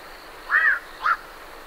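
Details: Black-crowned night heron leaving its roost gives two hoarse, croaking 'quok' calls about half a second apart, the first longer and slightly arched, the second short; great reed warblers in the background.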